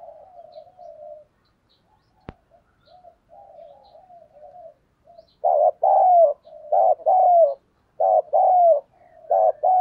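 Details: Cooing of a decoy spotted dove luring wild birds. Soft, faint coos and a single click open the clip. Loud, mellow coo phrases follow from midway, repeated in quick succession.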